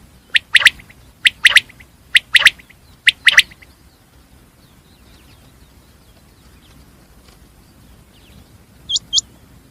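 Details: Common quail (batir) calling: four quick phrases of sharp, liquid two-to-three-note calls packed into the first three and a half seconds, then a quiet background hiss, ending with two brief, higher clipped notes.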